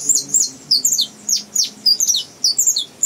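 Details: Juvenile Saffron Finch from a breeding facility practising its song, giving sharp, high, tinny chirps in clusters roughly every half second, several notes dropping steeply in pitch; a faint low hum underneath.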